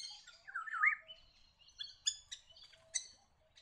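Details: Little Friarbird in woodland near rivers and wetlands around Cairns, Queensland, giving a rising, slurred note followed by harsh, nasal chattering notes in quick bursts over several seconds.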